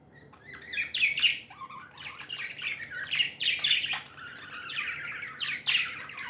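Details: Happy pet budgerigars chirp and chatter in scratchy warbling phrases with occasional squeaks, loud bursts alternating with softer passages, over a faint low hum.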